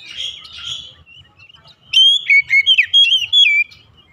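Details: Morning song of an oriental magpie-robin: quieter buzzy notes first, then a bright burst of loud clear whistles with rising and falling slurs lasting about two seconds, over faint low rumble.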